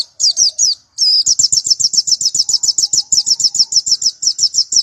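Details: Strange-voiced national white-eye prepared for G16 or G20 contests: a quick burst of high scratchy notes, a short break, then a steady stream of piercing, downward-slurred chips rattled off rapidly and evenly.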